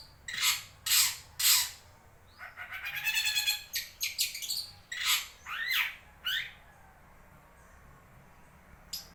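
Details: Wewah bird sound played to prompt reluctant shrikes to sing: loud harsh notes, a rapid rattling trill, then quick whistled upsweeps and chirps, ending in near silence.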